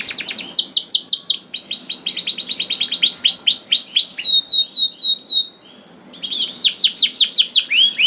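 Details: Canary song used to coax other canaries into song: rolling tours of repeated slurred notes, high thin chips, a brief near-silent pause, then more falling slurs.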